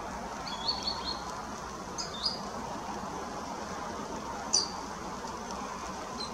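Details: One of three green sandpipers close to the screens at Barmston Pond on 4 September 2022 gives short, high whistled notes in a few quick bursts over about six seconds, against a steady rushing background of wind or water.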